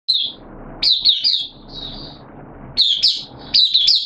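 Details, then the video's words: Caged oriental white-eye (Mata Puteh) singing, recorded 8 September 2022 with its form dipped a little: high, thin warbling phrases of quick slurred notes, separated by short pauses. "Mata Puteh Kitaro Buka Sing"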